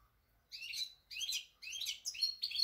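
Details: European goldfinch, a pied bird, giving four short bursts of bright, twittering, buzzy chirps spaced about half a second apart after a brief silence.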